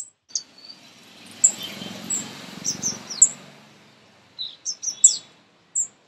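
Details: Baby birds being fed at close range give scattered high, piercing chirps and short downslurs, a quiet stretch of low murmur, then a renewed flurry of squeaky notes.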